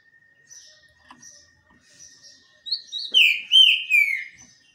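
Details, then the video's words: Green-winged saltator basking in the sun: soft high chirps, then a loud, smooth whistled phrase of rising and falling slurs in the last two seconds. "trinca ferro cobra no banho de sol"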